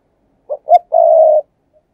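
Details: Decoy spotted dove in thúc gù style, used to lure wild doves. Two quick low notes lead into a sustained, even, mellow coo lasting about half a second. Nothing else is heard.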